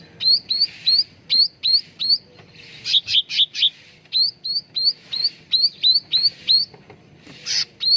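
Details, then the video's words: Cucak ranting bulbul song used as a lure and training recording to get caged birds singing: repeated sharply upswept whistled notes, with quick buzzy chattering bursts around the third and seventh seconds, over quiet low background hum. "SUARA PANCINGAN CUCAK RANTING BAHAN AGAR CEPAT GACOR"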